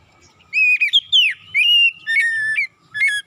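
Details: Morning oriental magpie-robin song used as a lure to make silent birds sing eagerly. Ringing whistled phrases: quick up-and-down slurs, then long steady notes, a dropping whistle and a short final note, over a quiet background.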